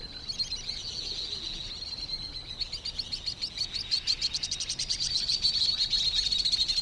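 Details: White-throated Swift calls, the noisy sound heard from birds hidden inside a bridge: shrill, high twittering with rapid buzzy trills that thicken into a dense, fast pulsed rattle in the second half, over faint background hiss.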